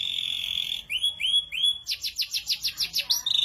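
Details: Ashy drongo in 'tembakan kasar' rough burst song: a held high buzzy note, three upward-sweeping whistles, then about a dozen rapid sharp downslurred notes fired in quick regular succession.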